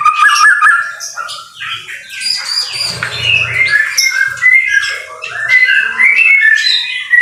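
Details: White-rumped shama in the rain, a training recording: a rich, varied song of quick whistled phrases, trills and sharp chirps changing pitch from note to note, with a brief low rumble in the middle.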